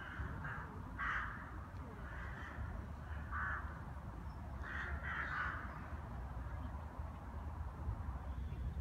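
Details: Rooks wintering in Brno, Czech Republic, gathered under a tree to eat a seed mixture; a few hoarse caws ring out in short bursts over a steady low rumble of background noise.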